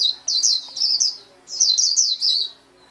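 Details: High-pitched twittering from a white-eye in two quick bursts of downslurred chirps separated by a brief pause.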